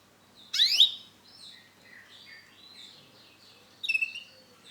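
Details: Orange and black male canary singing: a loud sweeping whistle, then softer varied notes and slurs, ending with another sharp burst of rapid high notes.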